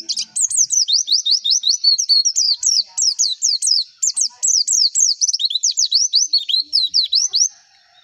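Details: White-eye lure song for competition birds: an unbroken, fast stream of high, looping down-slurred whistles, several per second, lasting about seven seconds over a clean background.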